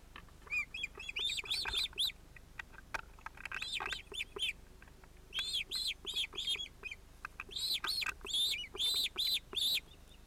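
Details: Ospreys at their nest with chicks, 31 July 2018, as a young bird interrupts the parents. Bursts of shrill arched whistles come in quick runs with brief pauses, growing louder and denser towards the end.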